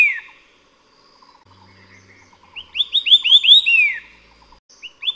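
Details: White-eared Sibia, a Taiwan endemic of mid-elevation forest, giving a quick run of six or seven clear, arched whistles, each rising then dropping, with softer single notes before and after.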